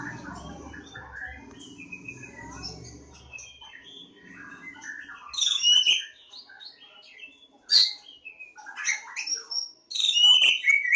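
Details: Javan form of Oriental magpie-robin at Lebakgowah; after a few seconds of low murmur, loud varied song phrases burst out: sharp whistles, rising and falling notes and short chattery bits separated by pauses.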